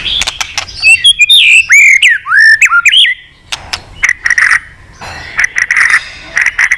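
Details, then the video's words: White-rumped shama singing a long song meant to provoke fighting, with tail-flicking clicks: varied whistled and slurred phrases with sharp clicks, then repeated buzzy notes near the same pitch. "chòe lửa kéo dây dài cực phê. đập tạch đuôi kích đấu. chòe lửa hót giọng dài kích lửa"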